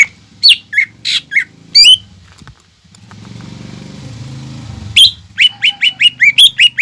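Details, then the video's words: Greater green leafbird singing energetically as a lure for young birds. Loud, slurred whistles give way to a low humming noise, then the bird resumes with a quick, even series of bright, clipped notes. "PANCINGAN CUCAK IJO GACOR UNTUK MERANGSANG EMOSI OMBYOKAN/TROTOLAN BIAR CEPAT BUNYI"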